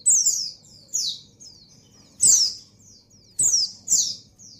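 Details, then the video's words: Breeding-condition female white-eye calling for a male, uttering bright, high descending squeaky notes, often doubled, in bursts roughly every second, with occasional sharp clicks and a low background hum. "Suara Burung Pleci Betina Birahi Memanggil Jantan"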